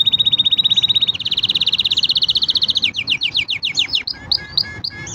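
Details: Green canary singing: a fast, steady trill held for over a second, rising in pitch, then breaking into quick downward-sweeping whistled notes and sharper chips, all high-pitched and loud over faint low background hum.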